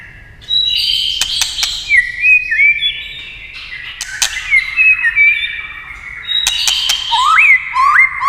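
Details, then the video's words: White-rumped shama singing, stirred into song by clacking tail-tap sounds: a varied run of clear whistled phrases, slurred rising and falling notes and quick trills, cut by sharp dry clicks from the tapping. "chòe lửa tạch đập đuôi cạch cạch kích thích chòe lửa hót"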